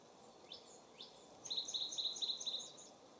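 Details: Bullock's oriole at a grape jelly feeder in mountain forest near Descanso, California, with adult and juvenile males visiting; two upslurred notes, then a fast dry chatter of about eight high clipped notes lasting over a second.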